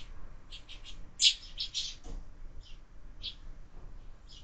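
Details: Sparrows at a window feeder, young birds increasing: a loud chirp stands out among quick runs of high tweets, then sparser single chirps follow.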